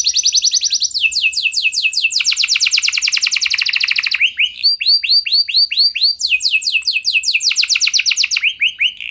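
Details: Canary singing a long gacor song, used as a lure for other canaries. It alternates extended rapid trills of repeated high notes with phrases of slower, descending swooped whistles.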